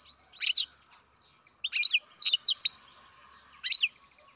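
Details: Young captive-bred European goldfinch calling in bursts of twittering, buzzy high chirps, three groups spaced unevenly over four seconds, clear against a quiet background.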